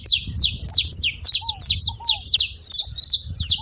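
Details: Saffron finch pouring out evenly spaced, piercing chip notes about three per second, aimed at getting another canary singing; a couple of low whistled slurs and soft rumble behind.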